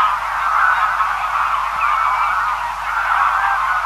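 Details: Greylag geese, a large feeding flock heard at a distance, giving a continuous, blended wash of honking and chattering calls with no single bird standing out; one thin rising whistle from another bird.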